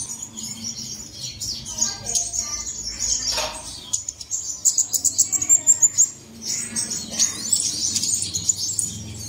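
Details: Bird song played as a lure to get caged birds singing in the early morning: high, thin chirps overlapping, with a quick run of sharp repeated notes midway and a brief lower rasp before it.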